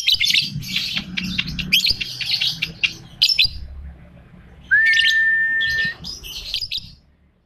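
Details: Lovebird in molt with 'ambrol' song, 'konslet' style: clipped bursts of shrill, squeaky twitters, a pause, then a clear, pure whistled tone held steady for about a second among more high chirps.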